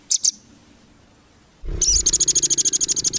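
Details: Rambatan, the velvet-fronted nuthatch, on a training recording for competition birds: two sharp high chips, a pause, then a fast run of bright repeated chit notes over a low rumbling thump.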